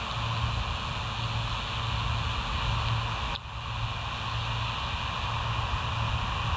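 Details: Steady wind or broadband noise with a faint low repeating hum, one brief dropout midway, and no animal voice.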